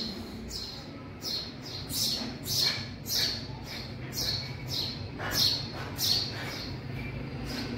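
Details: Young house sparrows in a garage make quick, uneven bursts of high, harsh chirps, some closely doubled. Other faint chirps overlap, and a low rumble runs beneath.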